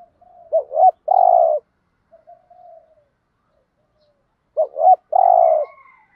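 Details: Spotted dove cooing, a recording used to spur kept doves into cooing: two short hooting notes followed by a longer, rolling coo, given twice about four seconds apart, with faint soft notes between.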